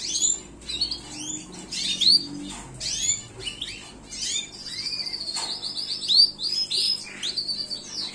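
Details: Gloster canary singing a lively, varied song of high chirps, rising and falling sweeps and buzzy trills, with one long steady trill running through the middle before quick sweeping notes return; faint low background hum.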